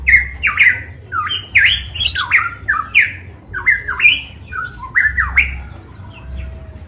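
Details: Loud Papuan golden myna from Manokwari in full song, giving clear, ringing whistles that swoop down and jump upward, delivered in a quick, uneven series with a few harsh clicks between; steady low hum in the background.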